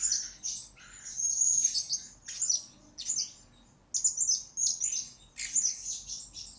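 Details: Master recording of a blue-crowned hanging parrot for lure training: sharp, high chirps and buzzy twitters in clustered bursts, including one longer quiet gap midway.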